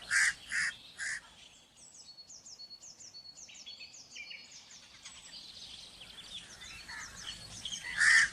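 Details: Three rapid hoarse crow caws open, then a stretch of sweet high chirping and twittering from small birds. One more harsh caw closes it.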